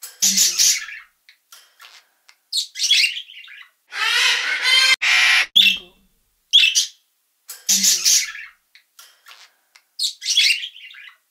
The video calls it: PARROTLET | VOICE